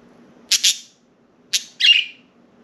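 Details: Indoor pet budgerigars, out of their cage and perched on window blinds, give two quick paired chirps, then a single chirp followed by a longer scratchy, buzzy squawk, with short silences between.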